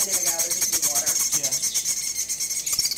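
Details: Fledgling chimney swifts at a city wildlife rescue, clinging to the sides of their box while being hand-fed. A dense, high, rapidly pulsing chitter runs throughout, with people talking nearby.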